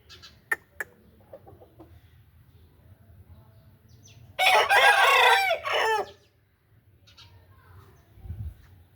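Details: An Aseel rooster gives one loud, hoarse crow of about two seconds that breaks off at the end, with a few sharp clicks and a low rumble in the background.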